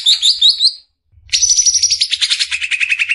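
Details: Greater green leafbird besetan song for training caged birds: a quick series of high upslurred whistled notes, a brief pause, then a fast bright pulsed trill dropping to a lower chatter.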